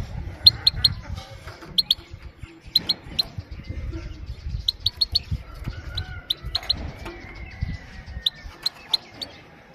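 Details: Female goldfinch giving calm 'pit pit' contact calls, used to stimulate males and train young birds; sharp clicky notes in pairs and triplets with short gaps, a few thin whistles mid-way, low rumbling background noise throughout.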